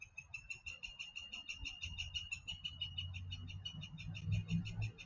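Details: Pileated woodpecker call on an outdoor microphone, with barking also audible nearby: a steady, rapid string of clear, ringing notes lasting the whole clip, over low thumping background sounds that swell toward the end.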